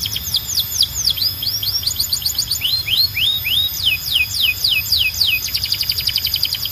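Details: Belgian canary singing to call the rest of the canaries to sing, delivering varied phrases of swept whistles, rising notes and quick descending chirps at roughly three or four per second, over a low hum.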